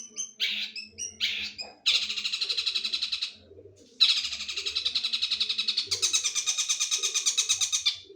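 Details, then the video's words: Long-tailed shrike song in the "sambung tengkek boto" style. Two short chattering notes lead into long, buzzy, rattling trills lasting one to two seconds each, separated by a brief pause, over a faint low hum. "Materi unik sambung tengkek boto ngeban2"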